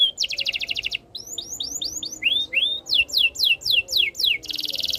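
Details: Canary singing a quick buzzy trill, then short rising whistles, a pair of upslurred notes, a run of falling whistled sweeps, and ending in a rapid high rattle.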